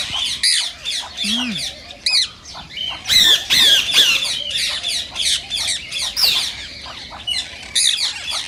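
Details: Rose-ringed parakeet screeching to stimulate singing and mating: rapid, harsh, high squawks repeated over two per second, with a brief lower call early on.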